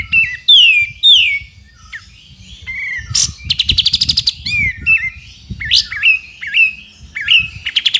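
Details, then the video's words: Sooty-headed bulbul singing for training magpie-robins and other songbirds: varied sliding whistles, descending slurs and a rapid rattling trill rising in pitch, with sharp chip notes between phrases; faint low rumble beneath. "KAPAS TEMBAK GACOR FULL NGEPIK BESET"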